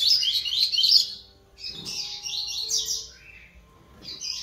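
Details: On 11 September 2021 a young double-collared seedeater rehearses song in Terceira Nota and Laranjeira styles: a loud, high chattering warble, a short pause, then a longer, softer scratchy phrase and a brief final burst.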